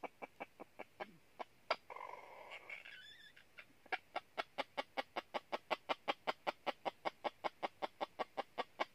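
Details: Red junglefowl decoy luring wild junglefowl toward a trap in northern Vietnam: long even series of sharp clucks, around two or three a second, briefly interrupted by a harsh drawn-out squawk and rustling.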